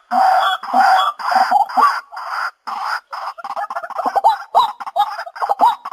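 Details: A lure recording of a white-breasted waterhen: a series of coarse, loud croaking squawks, first in longer evenly spaced bursts, then quicker, choppier notes tumbling close together.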